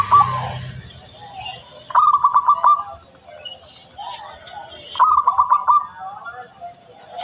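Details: A local zebra dove (perkutut), a strong clear singer used to prompt other doves, gives soft, rapid stuttering coo phrases about every three seconds, with faint high chirps from other birds behind.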